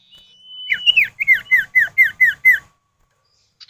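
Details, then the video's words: Common iora pair calling in answer, used to coax other birds into song: a thin steady whistle, then about eight ringing downslurred notes repeated roughly twice a second. "Pancingan Burung Sirtu atau Cipow, suara jantan betina bersahutan"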